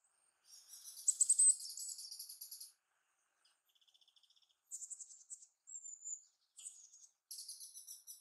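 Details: Japanese tits singing while jumping around in Sakura-no-yama park near Narita airport, Japan; loud bursts of buzzy, rapidly repeated high notes, a softer lower ticking series, a brief thin whistle, then more buzzy high phrases.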